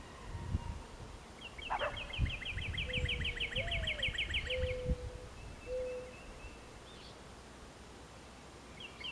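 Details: Territorial or courting song of a Mourning Dove, Missouri variant ending in two notes: a rising low coo followed by two steady hollow notes, beneath a loud fast ticking trill of another bird and scattered thumps.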